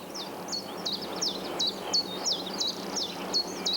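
A chiffchaff sings its steady, high, two-pitched chiff-chaff notes, roughly three per second, over a soft background hiss.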